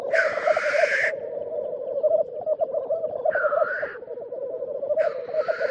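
Black grouse give a steady, low, dove-like bubbling that rolls on without pause, broken by three loud hissing sneezes about every two seconds.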